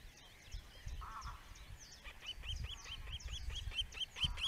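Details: Male osprey, a caring father at a webcam-watched nest in the Netherlands, gives a quickening row of sharp, rising-falling whistled cheeps, about eight in two seconds, after a short low murmur and amid soft rustling.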